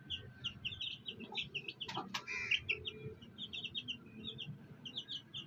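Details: Fighter chicks with a black hen cheeping in constant quick, high-pitched bursts. Brief louder knocks and rustles come midway, and a low murmur continues underneath.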